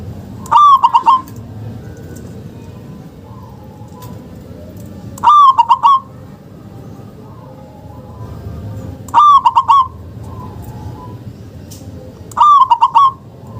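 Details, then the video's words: Four evenly spaced phrases of local zebra dove calling, about every four seconds, each a quick bubbling trill of coos. The recording is used to prompt quiet doves to start calling, and a quiet background lies between the phrases. "Pancingan Perkutut LOKAL..Suara JOSS"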